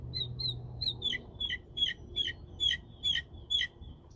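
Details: Mockingbird singing from crepe myrtle trees in spring: a series of clear, sharp chirped notes, each stacked with bright overtones, repeated roughly every third of a second over a faint low background hum.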